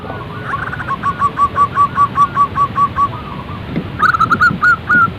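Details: Zebra dove calling: a long run of short, soft cooing notes repeated rapidly at an even pitch, then a brief burst of rolling notes after a pause, with faint clicks and background hiss.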